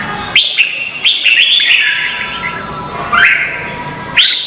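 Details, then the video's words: Red-whiskered bulbul in Vietnam, contest singing, used as lure sound to train birds: bright whistled phrases sweeping between mid and high pitch, short bursts repeating about once a second with brief pauses. "Chào mào hót đấu"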